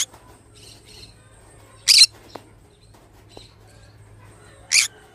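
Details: A pineapple-coloured green-cheeked conure gives two harsh, high, rasping squawks about three seconds apart, with faint chirps and a low hum in between.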